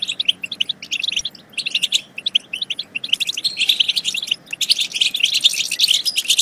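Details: European goldfinch song for encouraging goldfinches to sing and mate; short clusters of high chirps with gaps at first, building into continuous, louder twittering after four and a half seconds.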